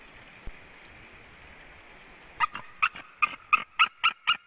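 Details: White-tailed eagle pair calling at their nest in Latvia as the male returns, 23 February 2017 around midday, live nest camera; after two quiet seconds a rapid series of harsh, harmonic yelping notes starts, about three per second.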